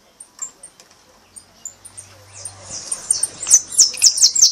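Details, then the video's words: Brown (pardo) goldfinch performing a repique: scattered thin high notes, then a loud, fast run of sharp descending strokes; a low steady hum runs underneath. "Jilguero pardo repique 3"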